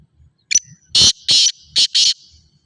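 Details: Black francolin, described as Sindhi, giving a harsh call: a short thin introductory note followed by four loud, grating, buzzy bursts in quick succession, the last two closely paired; faint low rustling underneath.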